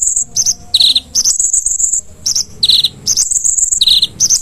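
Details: Konin singing on a cage-bird training master recording: quick alternating high chirps and short descending buzzy notes in rapid phrases, repeated without pause.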